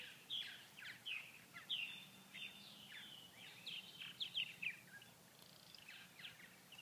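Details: Purple martins, inactive and unable to feed with no flying insects on a cold 39°F day in Grand Forks, North Dakota, chatter in short, scratchy chirps and rough notes, several birds overlapping irregularly over a soft hiss.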